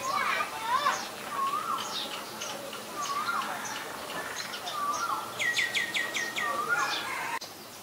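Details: Common myna at Ubon Ratchathani, Thailand, recorded 28 February 2022 on a Nikon P1000: repeated rising-and-falling whistled phrases about every second, then a fast burst of five sharp descending notes, ending with a click.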